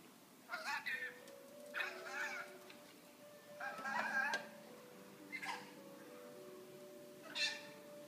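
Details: Pet rainbow lorikeet talking: five separate raspy, speech-like bursts about every one to two seconds, with a soft steady musical tone running underneath.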